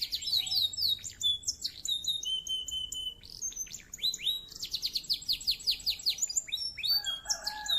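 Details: Clear-voiced canary in full, prolific song meant to stir up rivals: fast high trills, repeated down-sweeping chirps and short whistled notes in quick succession, over faint low background hum.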